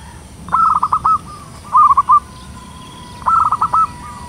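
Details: Local zebra dove with a big voice, sung to draw in wild birds, delivering three rippling cooing phrases in quick succession, each made of rapid soft notes ending in a drawn-out tone.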